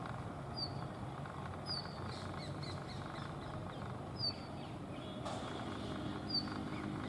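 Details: Brown rock chat, wild, calling slowly and dancing at Tibbi, Hanumangarh, Rajasthan, India, in 2019: short, thin, high chirps given singly at irregular gaps of about a second or two, over a steady low outdoor rumble.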